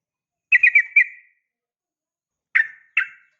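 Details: Female yellow-vented bulbul (trucukan) calling the male: a quick run of four buzzy chattering notes, then after a pause two short harsh chirps, against a silent background.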